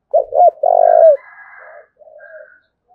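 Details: Spotted dove in Dong Nai, Vietnam, calling 'thúc bổi' style: two hooked notes and a long loud coo that bends down at its end, then soft fainter cooing and a higher drawn call.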